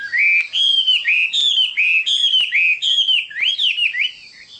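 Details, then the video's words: Chinese hwamei singing a loud, fluid run of whistled phrases, each note sliding and slurring between high pitches in a continuous rich warble with brief pauses. "Chim họa mi đẹp và hót rất hay"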